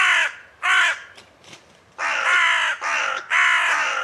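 Hooded Crow giving harsh, hoarse caws, two short ones and then a run of longer grating calls, each about half a second.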